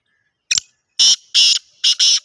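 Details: Female grey francolin calling: loud, shrill, high-pitched notes given in short bursts, first a brief clipped note, then four ringing blasts of about a quarter second each in quick succession, against a quiet background.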